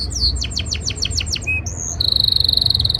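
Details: Male canary courting a female in the breeding season: a series of about eight quick descending whistled sweeps, a brief pause, then a rapid, even, high trill of repeated notes.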